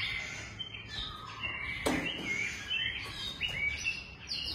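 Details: Long-tailed white-rumped shama kept in a breeding facility giving quick high whistled and chattering notes, some sliding up, in a busy rapid run, with a sharp knock-like click midway and low background hum.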